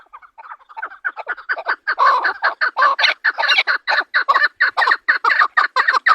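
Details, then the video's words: Chakor partridge, Pakistan's national bird, beginning with soft, scattered clucks that build into a loud, rapid, rasping chuk-chuk-chuk series, notes closely packed and continuing steadily. "Chokor (Partridge) Voice | Chukar calling chakor ki Awaz"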